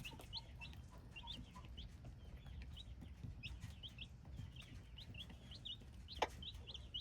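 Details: Hybrid chicks giving shrill repeated peeps in irregular runs, a few lower softer notes early on, one sharp click, and a steady low background rumble.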